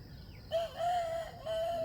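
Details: Wild junglefowl crowing in competition near a trap with bait: a steady, tonal crow held on one pitch, broken by a short dip and then resumed, with faint background noise.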